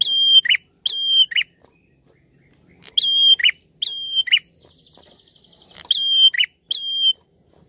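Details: A prinia, recorded live rather than from an MP3, sings loud, bright phrases in pairs every second or two, each a high flat whistle snapping into a sharp downward note, with a faint trill between; used as a lure.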